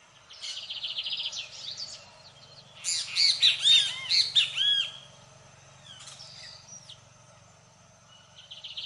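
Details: Lined seedeater in full song: a thin buzzy lead-in, then a loud two-second run of fast, high, crisp notes with sliding whistled elements, followed by scattered softer chirps and a short closing buzz.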